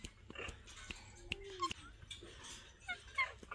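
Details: A pet talking Alexandrine parakeet, kept with other parrots, gives short, voice-like chatter and a few sharp whistled notes, about four bursts in under four seconds, over faint clicks and room noise.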